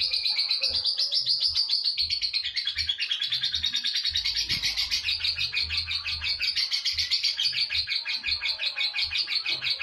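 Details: Lovebird in long ngekek chatter, a master recording for training: sustained shrill, fast-pulsed chattering without pause for nearly ten seconds, faint soft knocks beneath.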